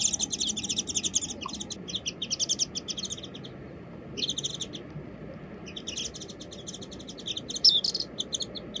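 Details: Warbling white-eye seen on a birdwatching walk, calling in bursts of rapid high chittering twitters separated by short silent gaps, the last burst ending in a sharp brighter note.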